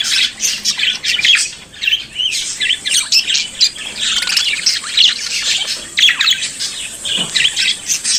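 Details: Australian budgerigar kept as a pet, chattering and singing: busy high warbling full of scratchy squawks, clicks and short rising whistles, nearly unbroken, with only a brief dip near two seconds.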